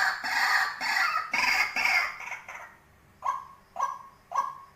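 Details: Tame decoy white-breasted waterhen: loud, harsh, broad squawking notes for about two seconds. After a short pause come three hollow, clipped notes, each one repeated about every half second.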